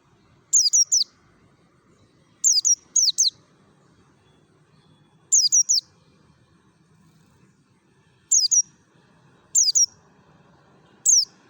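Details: Wild-style lure song of a Merapi mountain white-eye: clusters of two or three piercing high chirps, each sweeping steeply downward, spaced by one to three second pauses, with quiet low background murmur.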